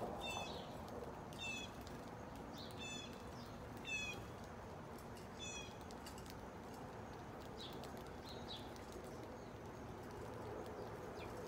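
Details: House sparrows eating cracked corn and milo in SE Michigan give short, bright chirps in small bursts every second or two over a steady rushing background hiss.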